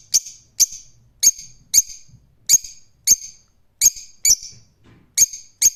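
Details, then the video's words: Rose-ringed parakeet repeating loud, piercing squawks about every half second, some notes paired closely, with faint low background rumble. "Cennet Papağanı Sesi"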